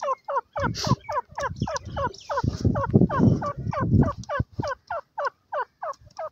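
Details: A francolin (teetar) calls in a field with pigeons: a fast run of hoarse, curving notes, about three a second, over a low background rumble.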